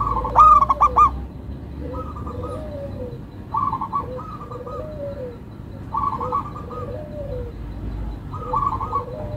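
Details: Local zebra dove (perkutut lokal) kept as a songbird, repeating rolling cooing phrases every couple of seconds, loud at first then softer, with a lower second dove cooing underneath.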